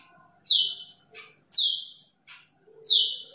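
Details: Three clean, piercing whistles falling in pitch, each about a second and a quarter apart with short raspy notes between, from an Asian glossy starling calling to a rival in a quiet setting.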